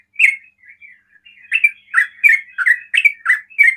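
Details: Rapid 'ropel' song from a sooty-headed bulbul that prompts other bulbuls to call: a loud opening note, soft trailing twitters, then a quick run of rich, chirping notes.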